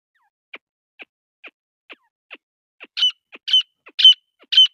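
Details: A female grey francolin starts with soft, clipped notes about twice a second, then breaks into loud, shrill ringing calls that grow stronger over the last seconds; no other sounds.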